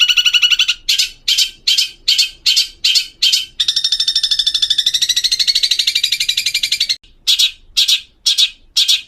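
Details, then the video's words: Long-tailed shrike used to teach raw birds to sing: a series of loud rasping squawks, then a long rapid harsh chatter lasting over three seconds, a brief silence, and more evenly spaced rasps. "Masteran cendet agar burung bahan cepat bunyi"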